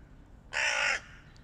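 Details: A single loud, harsh, rasping caw lasting about half a second from a hooded crow in a flock fighting a stray cat, with quiet background noise.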